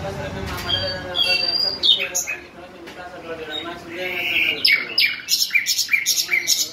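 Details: A person speaks first, then a bulbul breaks in with sharp, rapidly repeated chirps and whistled notes that dominate the last seconds.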